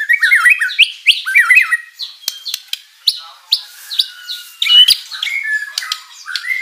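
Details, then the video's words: Energetic white-rumped shama song packed with mimicked material, meant to provoke rival birds into replying: looping whistled phrases that twist up and down, followed by spaced sharp upslurred notes and brief chatters. "MURAI BATU GACOR full isian materi mewah"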